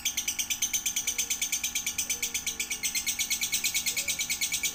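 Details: Lovebird song used as a training recording for young lovebirds one to three months old: a steady run of rapid, high, buzzy chirps repeated about three times per second, with a faint indoor hum beneath.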